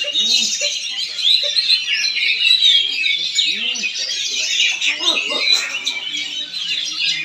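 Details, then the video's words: Caged Oriental magpie-robin in Palangkaraya, Central Kalimantan, performing a dense, continuous run of high whistles, trills and chattering notes, with a man talking nearby. "PENAMPILAN APIK KACER"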